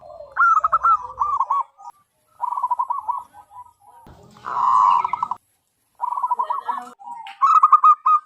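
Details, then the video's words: Zebra dove, a wild local bird with a big, clear voice suited to luring its kind, repeating short bursts of rapid, bubbling coo notes separated by brief silences, with a broad rustling noise midway. "PERKUTUT LOKAL ALAM GACOR SUARA BESAR DAN LANTANG COCOK BUAT PIKAT BURUNG PERKUTUT"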